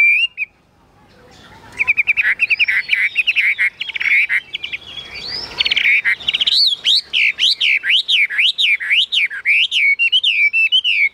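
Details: Caged Chinese hwamei, a kept songbird, singing: after a brief note and pause, loud rich whistled phrases build into a fast run of rising-and-falling slurred whistles repeated several times a second, clear and ringing.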